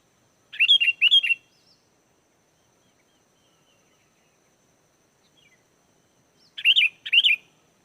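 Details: Sooty-headed bulbul singing lively, used as a lure to draw wild bulbuls into answering. Two short bursts of bubbly, whistled notes, one near the start and one about six seconds later, with silence between.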